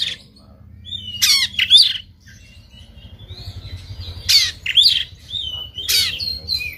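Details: Oriental magpie-robin, stubbornly fighting and opening its tail, sings coarse shot-like notes: whistled lead-ins followed by loud rasping bursts and sharp upslurred whistles, in two main phrases with a quieter gap between them.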